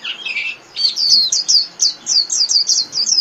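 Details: Japanese white-eye delivering líu-style song for caged-bird training: an opening burst of buzzy chatter followed by a steady string of high, clipped downslurred notes repeated several times a second.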